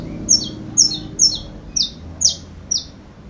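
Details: Six sharp, high-pitched downslurred chirps from a saffron finch, spaced about half a second apart, clear and dominant over faint low background noise.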